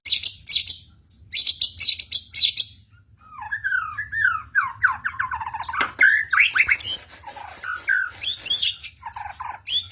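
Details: Energetic white-rumped shama song: rasping chattering bursts open, followed by a long varied stream of fluty whistles, rapid slurred trills and sharp sweeping notes, mixing rough and clear tones with no other sounds.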